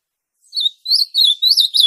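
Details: Captive ultramarine grosbeak (azulão) song used to stimulate another caged azulão to sing: clear whistled phrases around mid-high pitch, four rising and falling notes in quick succession after brief silence, no other sounds.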